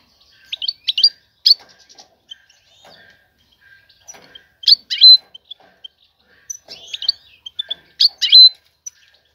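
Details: Female European goldfinch calling to attract a male and stir him to mate and build a nest; short bursts of high, sharp twittering chirps come about every three seconds, with near silence between them.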